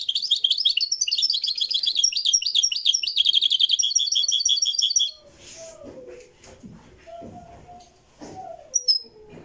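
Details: Moroccan goldfinch recorded live, delivering five seconds of dense, high tinkling twitters and buzzy trills, then falling silent while softer low sounds and a few faint chirps continue.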